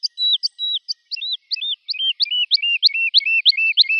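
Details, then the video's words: A woodlark delivers drawn-out whistled notes that drop in pitch, shortening and quickening into a steady, rapidly repeated series of rising-falling phrases, about three per second. Clean recording with no other noise. "تغريد طائر الولوال Woodlark Alouette lulu"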